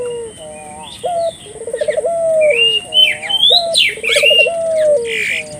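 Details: {'caption': 'Collared dove calling to stimulate local doves: several low coos, each a short note then a pulsing roll held into a smooth tone, with loud chirps and twitters of small birds overhead.'}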